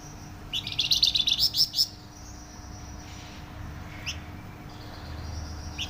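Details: Loud, dense Flamboyan song: a fast run of bright, pulsed high notes for over a second, followed by scattered single chirps, with a steady low hum in the background.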